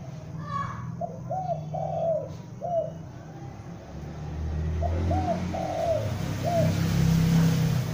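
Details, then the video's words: Young spotted dove calling as a lure: two phrases of short, hollow coo notes, three or four each, separated by a pause, while low rumbling background noise grows louder. "Tekukur Pikat gacor anakan Berbunyi Memanggil"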